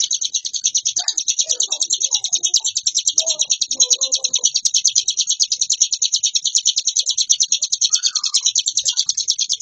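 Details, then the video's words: Hill prinia in continuous, varied ngebren singing: high, fast, buzzy chirps run without a break, while faint lower whistles from another bird show through in the background. "Suara burung Ciblek gunung gacor variasi ciamik ngebren nonstop"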